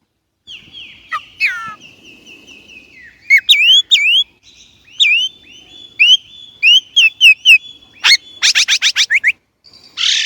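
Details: Chinese blackbird delivering a varied whistled song: long sliding tones, then crisp V-shaped whistles repeated several times, followed by a fast run of about eight buzzy notes and a final harsh burst.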